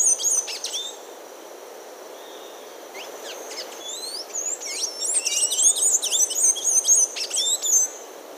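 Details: A blue-grey tanager (Thraupis episcopus, Amazonian form) gives a fast run of high, squeaky twittering notes, some rising and slurred, over a steady high insect hum.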